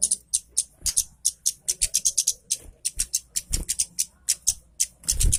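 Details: Orange-headed thrush singing vigorously as a lure for birds reluctant to sing; quick, regular high chirps and squeaky notes, several per second, with occasional low knocks.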